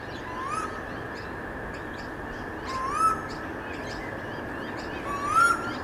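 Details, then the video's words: Eastern koel (storm bird) singing loudly in suburbs in late afternoon: rising whistled 'koo-eel' calls, three in about six seconds, over a steady insect drone and soft chirps of other birds. "Loud Storm Bird Singing"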